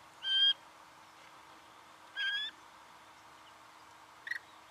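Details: Singing honeyeater, Victoria, Australia, November 2011: two spaced nasal harmonic notes followed by a short sharp chip, with quiet background.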